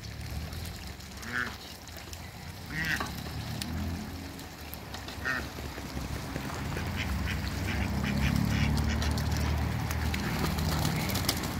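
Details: Mallard and Pekin ducks, two pairs kept in a backyard run, mallard hybrids among them; a few short quacks come at scattered moments over steady low rumbling background noise that grows louder toward the end.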